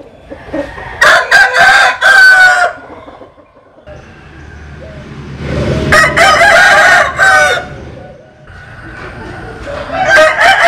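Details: Three rooster crows, one after another, from a compilation of Vietnamese and American Sil cocks. Each is a hoarse multi-syllable cock-a-doodle-doo with a held final note, and low background rumble between them.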